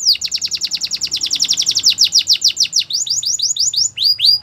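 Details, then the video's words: A Belgian canary sings at morning, starting with a fast, steady trill of about seven down-slurred notes per second, slowing into spaced rising whistles toward the end. "Belgian canary singing every morning"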